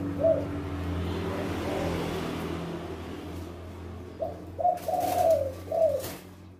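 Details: Spotted dove male, loud-voiced, in two-'kuk' style: one coo at the start, a long stretch of traffic rumble, then a cluster of three or four rich, mellow coos.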